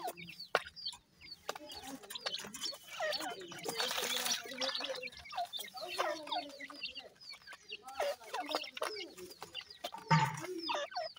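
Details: A group of Irani partridge chicks at their food, chirping in quick downslurred peeps amid sharp pecking clicks, with a brief rushing burst of noise midway.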